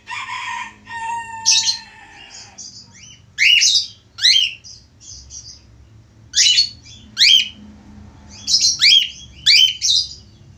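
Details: Male budgerigar, a tame caged Australian parakeet in active song: a long scratchy warbling phrase with a steady whistle, then a run of sharp rising and falling chirps in short bursts roughly every second.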